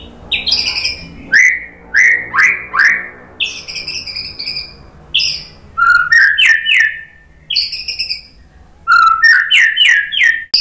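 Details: Lure song of a white-rumped shama, meant to make other shamas respond and sing. Repeated rising whistled notes, several in quick series, mixed with crisp clicks and high chips, arrive in spaced bursts.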